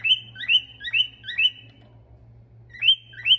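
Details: Male Eurasian stone-curlew singing and whistling: shrill, whistled two-part calls about every half second, a pause, then two more, over a faint low hum.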